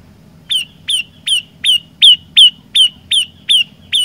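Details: After half a second of quiet, an olive-backed tailorbird launches ten loud, clipped, downslurred notes at a steady pace, part of a three-variation song.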